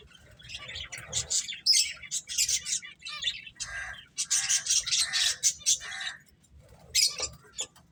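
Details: Playing finches chirp in quick high bursts, mixing bright twitters with slightly lower buzzy notes, then fall quiet except for a few sharp calls toward the end.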